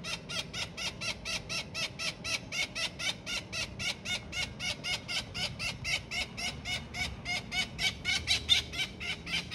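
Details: Young Australian king parrot at Kincumber giving harsh, rasping calls repeated steadily about four times a second without a break, over low background rumble.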